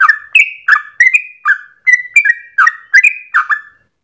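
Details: Yellow-vented bulbul in lively, long rolling ropel song, used as a lure for training other birds: short bubbly chirped notes, each a quick upward or level slur, repeated about three times a second.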